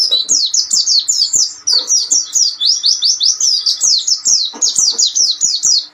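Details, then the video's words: Pleci (Oriental white-eye) master song for tutoring untrained birds, ombyokan style: six seconds of continuous, shrill twittering, rapid descending slurred notes overlapping in a busy, unbroken stream with faint clicks beneath. "masteran cocok untuk burung pleci bahan/Ombyokan"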